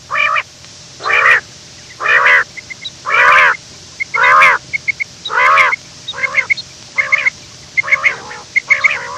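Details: Morning quail, said to be running, giving loud nasal harmonic calls repeated roughly once a second, each a short rich burst. Thin high chirps and clicks are scattered between the calls.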